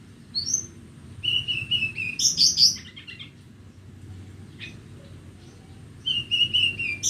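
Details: Horsfield's bush lark of Borneo singing on a bright morning, clear whistled phrases and a buzzy burst, a pause, then more slurred whistles.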